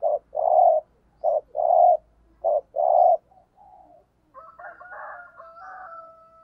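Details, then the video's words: Lure spotted dove giving 'thúc gù' coos: three quick pairs of a clipped note and a longer hollow hoot, a softer trailing coo, then a rooster crowing in the background. "Tiếng Chim Cu Gáy Thúc Gù - Chim Cu Mồi"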